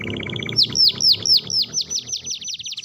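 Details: Canary singing gacor song to draw a response from reluctant canaries: a quick run of short mid-pitched notes, then loud looping falling whistles about four per second, merging into a faster rolling trill.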